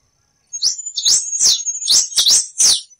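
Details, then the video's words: Wild chestnut-capped blackbird song: short bursts of high swooping notes, repeated quickly and unevenly, over a thin continuous high-pitched tone in the background. "Canto do Quem-te-vestiu,na natureza"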